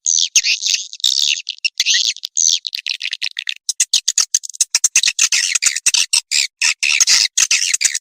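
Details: Call meant to bring swiftlets flocking: harsh, high squawking twitters at first, then breaking into quick, uneven clicking chirps that speed up, with nothing else audible.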